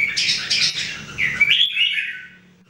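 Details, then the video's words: One of three trained red-whiskered bulbuls singing daily gives a burst of scratchy, chattering notes, then a bright rising whistle that trails off; nothing else is heard. "Jambul birds singing"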